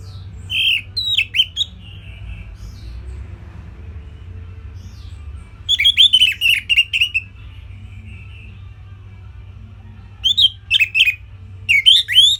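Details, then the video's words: Simple Orange-headed thrush song, used as a tutor for songbirds to imitate: three separate bursts of rapid, buzzy whistled notes with sharp upward flicks, the middle phrase trailing into a soft drawn-out note, with low hum between. "Kicauan Simpel ANIS MERAH Gampang Untuk Ditiru Sebagai Masteran"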